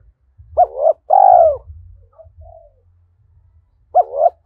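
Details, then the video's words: Early-morning decoy spotted dove calling to wild birds; paired short coos and a long, rich falling hoot, a pause with soft quiet notes, then the short coos begin again over light low thumps. "tiếng chim cu gáy mồi gáy gọi bổi lúc sáng sớm"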